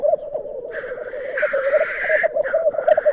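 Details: At Glen Tanar, black grouse displaying at the lek, recorded from a hide: pulsing bubbling coos under a loud, rasping hiss that swells in the middle, with shorter hissy notes before and after.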